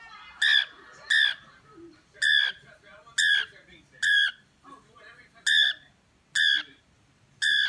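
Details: Pet cockatiel repeating a loud, ringing, harmonic call eight times at steady intervals of just under a second, with quiet background in between.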